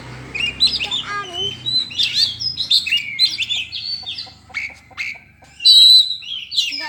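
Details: White-rumped shama singing a varied run of clear whistles, short trills and rasping notes, with one longer loud whistled phrase near the end and a faint low hum underneath.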